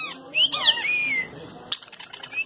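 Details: A Great kiskadee singing while loose inside an office gives loud, high whistled notes, then a long slurred whistle sliding downward, followed by knocks and clatter at the end.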